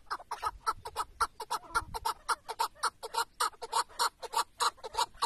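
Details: Chukar partridge kept as a tethered decoy in a hunt in Şırnak, Turkey, giving steady, evenly spaced clucking chuk notes about two per second, clean against a quiet background with a brief low thump near the start.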